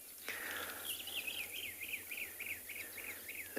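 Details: Brown-crowned Tchagra calling on an afternoon safari at a private game reserve, birds just starting to call; a run of about ten quick, evenly spaced, slurred whistled notes, each rising then dropping, over a steady background hiss and low hum.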